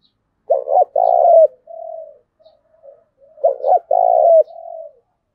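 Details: Deep coos from a spotted dove, used for decoy training. Two phrases, each a quick doubled note, a long rolling coo and a softer trailing coo, separated by faint murmurs.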